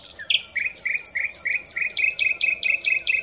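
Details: Common nightingale (Luscinia megarhynchos) singing a fast series of repeated two-part notes, a high sharp note dropping onto a lower warble, about three per second, clear and loud against a quiet background.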